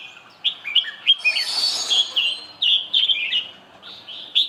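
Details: Red-whiskered bulbul song in short, clear whistled notes, several per second and unevenly spaced, with one brief noisy burst partway through.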